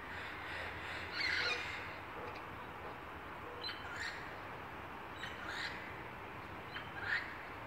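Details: Military macaws visiting a house in Querétaro on the morning of 5 September 2017, near a bedroom, as they often do: harsh, raucous squawks, short rough bursts spaced a second or two apart, over a steady background hiss.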